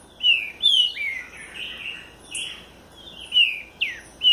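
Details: A southern-form Green-winged Saltator sings loud, clear whistled notes that slur downward, mixed with a few rougher, buzzier bursts, in short phrases about half a second apart.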